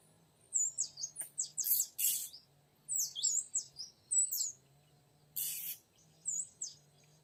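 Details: Oriental magpie-robin whistles used to lure a young male from the wild: clear high notes in short groups, mixed with a few harsh, noisy bursts and a steady low hum beneath.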